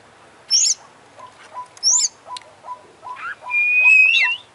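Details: Oriental magpie-robin singing 'gacor' with full fills, beak and tail open: high sharp notes, then a long steady whistle rising at the end, over a faint run of soft repeated low chirps.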